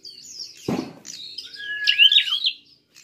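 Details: Prinia giving a fighting call used as a lure to provoke other birds: a quick series of high, sharp chirps and squeaky slurred notes, with a short dull knock near the start and a level whistled tone under the later notes.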